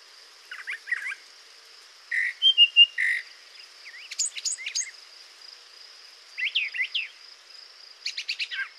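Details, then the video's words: A brown thrasher sings 40 seconds of short, varied phrases of rich chirps, slurred whistles and scratchy notes, never repeating a phrase, with brief pauses between, over a steady faint high hiss. "you just heard a brown thrasher singing for 40 seconds and in that time the bird never repeated itself"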